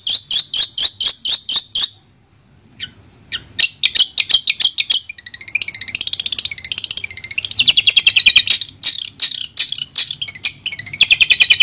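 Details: Shrike song used as therapy for a silent long-tailed shrike: fast ticking chips, a short pause, then a long buzzy warbling run of rapid high notes that ends in sharp repeated clicks.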